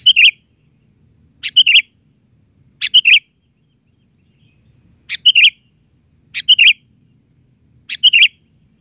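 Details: Chatty isian song of a sooty-headed bulbul, bahari version: six brief clustered chirping phrases, each of three or four sharp notes, repeated about every one and a half seconds against near silence.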